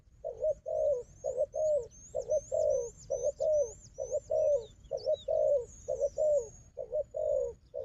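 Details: Strong fighting wild dove with decoy: evenly spaced low coos in doubled phrases throughout, thin high whistled notes fading in and out above.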